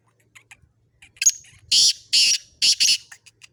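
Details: Black francolin (kala teetar), heard in a mix of excited 'masti' calls. A short rasp leads into four loud, harsh, grating notes in quick succession over about two seconds, with faint clicks before and after.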